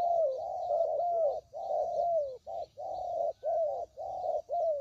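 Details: Used to lure spotted doves into traps: steady, throaty coos in long connected phrases, then shorter notes separated by brief silences toward the end.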